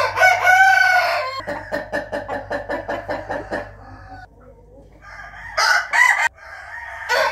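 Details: Rooster crowing in the morning, 8 April 2021: a harmonic crow opens, then a rapid run of about a dozen pulsed clucking notes, a quiet gap, and two more short crowing bursts near the end.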